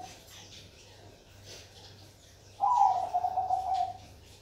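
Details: Zebra dove of the Bangkok perkutut type: after a quiet stretch, one loud bubbly cooing phrase with a short rising start and a rapid, pulsed trill that falls slightly over about 1.4 seconds.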